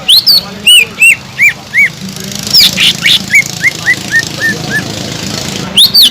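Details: Lively caged Sumatran leafbird song meant to provoke other leafbirds into excitement; sweeping high notes give way to a steady series of short arched whistles, gently dropping in pitch, with a faint background hum.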